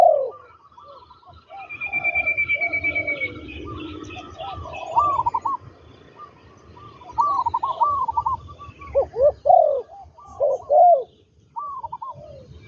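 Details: Spotted doves at a ground trapping setup with a trained decoy bird, calling in many hollow, bouncing coo notes that grow louder and more rapid toward the end. A brief high whistle and faint twittering appear early.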